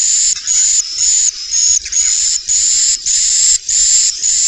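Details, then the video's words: Swiftlet roosting call of the Inap Ababil style, used to attract swiftlets: a steady series of hissy, buzzy chirrs with a thin whistled edge, about two per second, separated by brief gaps. "Suara Inap walet"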